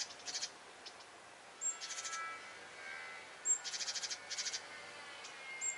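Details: Great tit alarm scolding at a cat hunting birds: short bursts of harsh, rapid ticking chatter, each burst a row of five to seven clicks, several separated by pauses, with a faint high note before some bursts.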